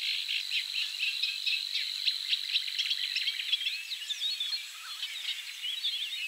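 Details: In Poland, a Eurasian reed warbler staying low in the reeds sings a steady, rhythmic chatter of harsh, grating notes, each short motif repeated two or three times; a Savi's warbler reels in the background as a faint high hum.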